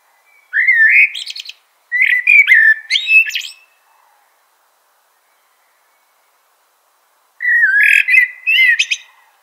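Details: Song of a Eurasian blackbird: two rising, mellow whistled phrases each closed by squeaky high twitters, then a long silence before a third warbling phrase.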